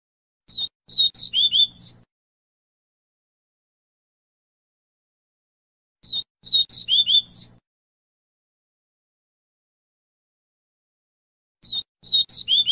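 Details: Double-collared seedeater song used to teach young birds: a high, quick phrase of sharp chips ending in a bright swept note, repeating about every five seconds over a faint low hum.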